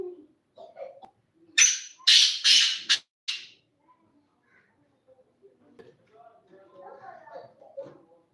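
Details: Black francolin calling: a loud phrase of four harsh, grating, broadband bursts in quick rhythm, followed by soft low human voices and faint murmuring.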